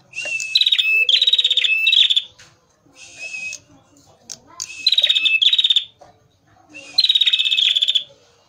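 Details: Prinia, a male singing vigorously for luring birds: three bursts of rapid, buzzy, trilled notes, each about a second long, separated by quieter twittering and short gaps.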